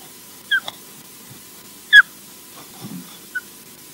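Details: Osprey EJ at Loch Garten, Scotland, the last heard of it for 2018, at 06:18 on 3 August. It gives two short, high, slurred whistles about 1.5 s apart, with a couple of fainter notes and a low background hum.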